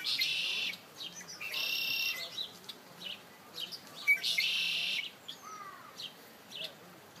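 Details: Birds singing by a feeder at MK Nature Center: strong buzzy trills repeat at the start, near two seconds and around four seconds, with sharp chirps and slurred whistles between them.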